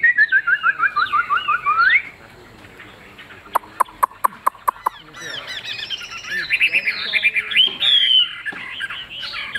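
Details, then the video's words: Caged hwamei with a large tail, sold as a good singer. It gives a descending string of quick whistled notes, then a series of sharp clicks, then a loud, bubbling warble of high phrases. "Họa mi đuôi lá vả bóng bộ đẹp hót hay"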